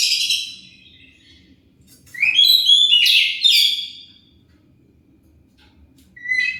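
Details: Oriental magpie-robin lure song meant to provoke replies: a fading phrase at the start, a pause, then a two-second flurry of sweeping, upward-sliding whistles, followed by quiet and a short whistled note near the end.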